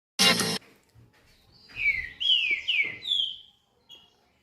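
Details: Double-collared seedeater (coleiro) singing at almost 5:40 in the morning: a sharp loud click first, then a short phrase of clear, slurred whistles sliding downward, three or four notes in quick succession.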